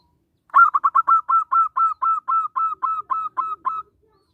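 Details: Local zebra dove singing as a lure for other zebra doves and for trapping: roughly fourteen resonant cooing notes, rushed at the start and then steadily spaced about four per second, in otherwise quiet surroundings.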